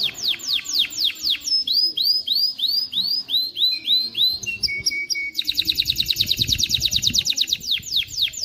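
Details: Canary song meant to train young birds to sing and stir females to mate: steep falling whistles, then a run of rising upslurred notes, a short flat buzz, and a rapid high trill of repeated notes.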